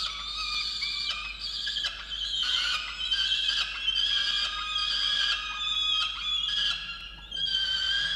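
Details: Peregrine falcon at a research nest box camera on a water tower, Orange, New South Wales, Australia, November 2022, scolding its mate over a missed breakfast delivery; a chain of drawn-out, strident wails with brief breaks between them.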